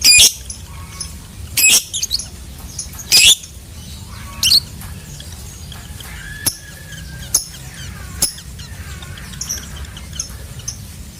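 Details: Lovebird calling with sharp, harsh squawks and clicks spaced a second or so apart, some thin whistled notes in between, against constant low rumbling noise.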